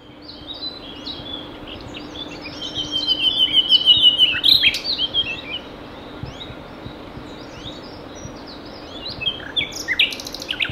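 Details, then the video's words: Common nightingale (Luscinia megarhynchos) singing at 11:20 on 27 April 2019 in Ostravice, Czechia: rich phrases of fast chirps, rapid trills and sharp whistles, loudest midway, over a steady low hum with other small birds faintly behind. "Nightingale Song / Nachtigall Gesang"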